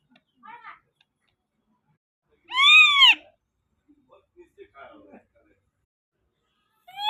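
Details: Indian ringneck parakeet giving one loud, harsh, arched screech lasting under a second, framed by a few faint short squeaks and clicks in an otherwise quiet setting, with the start of another screech at the very end.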